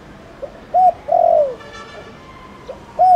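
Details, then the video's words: Spotted dove giving a Thổ Đồng style call used to prompt other doves to call: one phrase of a short hoot then a long coo sliding lower, followed by the start of the next phrase. "Tiếng cu gáy Thổ Đồng gọi bổi nhanh gáy"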